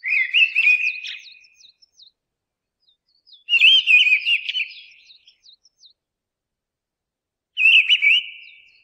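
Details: Three ringing whistled phrases from a mistle thrush, each lasting about a second and a half with scratchy high overtones, spaced by long silences of two to three seconds, in a quiet setting.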